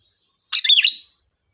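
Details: A single short phrase from a sooty-headed bulbul used as a lure, a half-second tumble of bright chirps with a clear whistled slide in the middle, over a faint continuous high hum.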